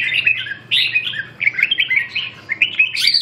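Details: Red-whiskered bulbul in a singing competition, giving rapid, rich chirping phrases, several warbled bursts in quick succession without pause.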